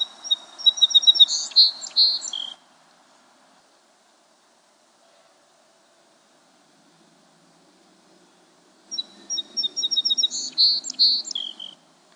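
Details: Song sparrow song recorded in March: two complete songs about six seconds apart, each opening with a few clear introductory notes followed by a rapid buzzy, trilled jumble, in an otherwise quiet setting with faint low background noise.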